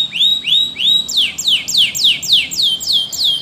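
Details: Spanish Timbrado canary singing for canary training: a string of loud upward-looping whistled notes about three per second, shifting to steeply falling slurred notes over a sustained tone, repeated evenly.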